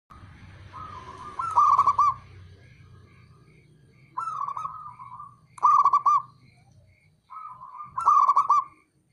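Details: Male local zebra dove (perkutut) calling, used as a tutor recording meant to provoke rival doves into answering: four stuttering, rolling coo phrases, each a quick burst of tremulous notes, over a low hum with faint high piping notes.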